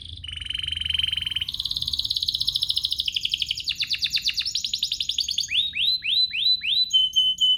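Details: Canary song used as a lure to provoke other canaries into singing: a loud, fast canary song of rapid trills, a long buzzy roll, then repeated upward-sweeping whistled notes and high clear whistles near the end.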